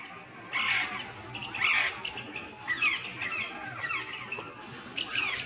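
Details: Parrot colony gathering just before sunset, a noisy flock with overlapping harsh squawks and screechy slurred calls, irregular bursts about once a second, steady background chatter throughout.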